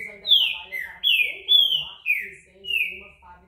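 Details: Green-winged saltator singing a series of loud, clear whistled notes, each slurring downward or upward, about six notes in three and a half seconds, with faint human speech in the background.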